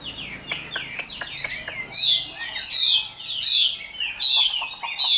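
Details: Chinese hwamei, a mature bird caught from the wild and kept caged, opens with soft rapid clicks, then repeats bright rising-falling whistles about once a second.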